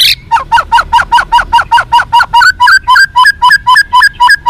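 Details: Fighter-style white-rumped shama song for making captive birds responsive: a steady chattering series of short, sharp notes at about four per second, rising slightly in pitch partway through.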